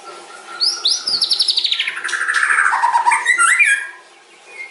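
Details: A white-rumped shama (murai batu) gives a long filled song. A rising whistle leads into a rapid pulsing trill that slides steadily lower, followed by short upslurred notes.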